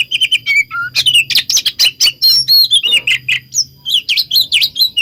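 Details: Oriental magpie-robin song used as a lure to make other magpie-robins answer: a fast, varied run of loud whistled notes and sharp chirps, some rising and others falling, packed closely together, with a faint low hum underneath.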